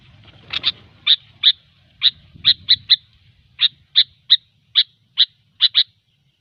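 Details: Sooty-headed bulbul sound used as a lure, gecor style: a steady series of short, bright, clipped notes, some paired, repeated roughly every half second against near silence.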